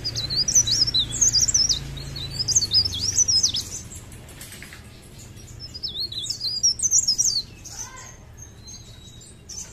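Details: Song of a mountain leaf warbler in full voice: two runs of high looping, wobbling whistles a few seconds apart, then quieter faint notes, with low constant background noise.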